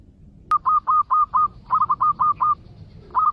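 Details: Lure recording of a zebra dove, meant to bring birds in fast: a long run of evenly spaced, soft, rounded coo notes, a short pause, then a brief trill of rapid coos.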